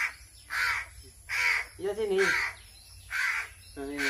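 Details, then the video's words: Crow hungry during hand-feeding: hoarse caws in quick succession, partly overlapped by a man's voice talking in the middle and at the end. "BURUNG GAGAK KELAPARAN"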